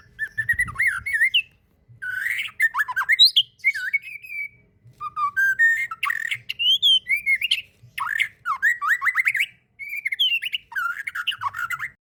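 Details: White-rumped shama (murai batu) in fighter-style masteran song: long sequence of rich, varied whistles, rapid trills and squawky flourishes in repeated bursts separated by short pauses.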